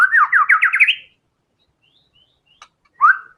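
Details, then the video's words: White-rumped shama (murai batu) in gacor song: a quick run of about six whistled notes climbing in pitch, a second of silence with faint ticks, then one rising whistle. "TEMBAKAN MURAI BATU GACOR BONGKAR SEMUA ISIAN FULL FIGHTER"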